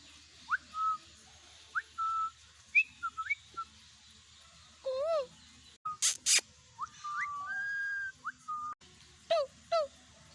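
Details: Indian ringneck parakeet kept as a pet, its talking described as mimicry: short flat whistled notes near one pitch, rising slurred whistles, arched harmonic syllables and two sharp clicks, scattered across ten seconds in a quiet room.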